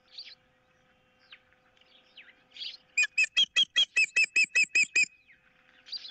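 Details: Osprey at a camera-watched nest, 15 April 2023, with one bird guarding a fish, the other wanting it, and an intruder about: around ten loud, clipped whistles in quick even succession, with scattered small-bird chirps before and after.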